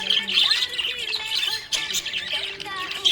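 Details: Happy budgerigar chirping: busy, high warbled twitters and short squeaky notes follow each other without a break, with some faint lower tones underneath.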